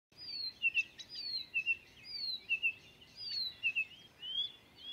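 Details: Blyth's reed warbler, a mimic, singing at Fairburn Ings Nature Reserve, UK, on 11 June 2020: a slow, high song of clear descending whistles mixed with dry clicks, each phrase repeated about once a second.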